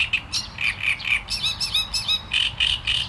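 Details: Great reed warbler in full song: a steady run of harsh, creaky syllables, each repeated two or three times, coming several per second throughout.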